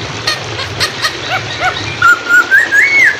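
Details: Hwamei song from a songbird training recording: faint, soft notes at first, then a clear whistle that climbs in steps and ends on a slurred high note. Flowing water sounds in the background.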